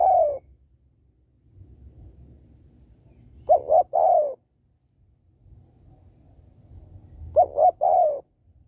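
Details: Calls of a female spotted dove used to stimulate males: a phrase ending at the start, then two full coos about four seconds apart, each two clipped notes and a longer descending note.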